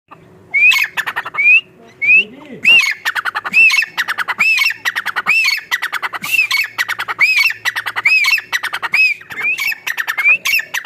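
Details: A wild francolin (teetar) gives loud, harsh, scratchy calls, each note with a brief rising whistle, repeated in quick bursts about once a second.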